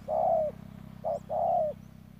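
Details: Ground decoy spotted dove from Đức Cơ uttering a drawn-out coo, then a short note and another long, slightly descending coo over a low buzzing hum.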